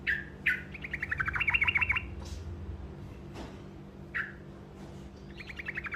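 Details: Truco, the olive-backed tailorbird, in a brief rolling song meant to make other birds answer: sharp opening calls, then a fast string of bright repeated notes, later single calls and a softer short trill at the end.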